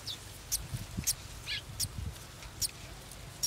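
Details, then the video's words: Young golden sparrows waiting for a parent to bring food. Quick high chirps and a buzzy, lower squeak mix with soft low rustling in a lively, irregular sequence. "Baby Golden Sparrow's Anticipation: Waiting for Bay's Feed"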